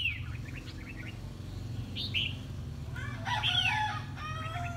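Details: A red-whiskered bulbul in competitive song gives bright, quick whistled phrases of short chirpy notes, with a louder burst midway, over a steady low background rumble.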